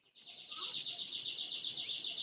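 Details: A Belgian timbrado canary sings loudly, pouring out a fast, high rolling trill with notes pulsing about a dozen times a second without a break.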